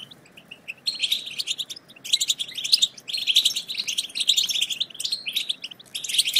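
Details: European goldfinch twittering chatter used to prompt silent goldfinches into song: bright, rapid chirps and buzzy trills in repeated bursts separated by brief gaps.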